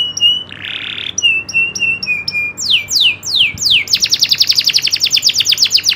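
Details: Local kenari loper canary in nembak ngerol style song: a steady whistled note and a brief buzzy burst, then a string of short chips, several loud downward swoops, and a long rapid rolling trill. Only the bird is heard.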